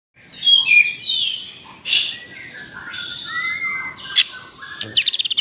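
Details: Oriental magpie-robin (kacer) singing vigorously while spreading its tail: sweet whistled phrases sliding up and down, broken by harsh buzzy bursts and a rapid scratchy rattle at the end.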